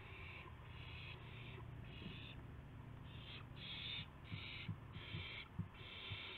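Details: Dawn owl calls, March 26, 2016, with gopher and mouse prey; repeated raspy hissing bursts, quickening toward the end, accompanied by low thuds and shuffling knocks.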